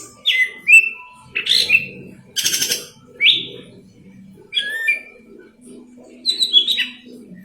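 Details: Singing golden-fronted leafbird, a tutor track for green leafbirds: loud whistled phrases that slide down, a short harsh buzzy burst partway through, then more chirps, over a low faint hum.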